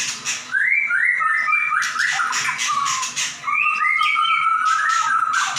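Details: White-rumped shama pouring out a varied song: clear whistled notes stepping up and down, then a long sustained warbling phrase, with some harsh scratchy notes and a low hum behind.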